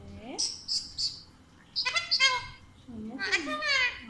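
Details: Talkative pet Alexandrine parakeet speaking Urdu/Hindi: three quick high chirps, then two bursts of rapid, shrill, speech-like phrases separated by a short pause.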